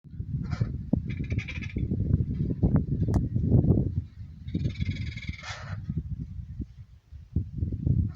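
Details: A mother parrot at her nest in a house roof on September 29, 2019, where her babies make trilling sounds, gives harsh, raspy squawks, one drawn out for about two seconds, over constant low thumping and scraping.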